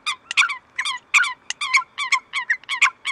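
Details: Eurasian coots in Greece, February 2023, in a loud, dense, rapid chatter of nasal, honking notes that overlap without pause.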